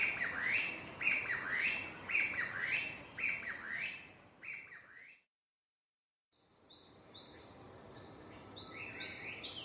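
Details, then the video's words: Japanese bush warbler singing repeatedly in May 2017, filmed with a Panasonic DC-FZ85 using simple wind-noise protection: bright, rising then falling whistled phrases repeated about once a second, a brief silent gap, then higher chirping notes. "ウグイス Japanese bush warbler の鳴き声。"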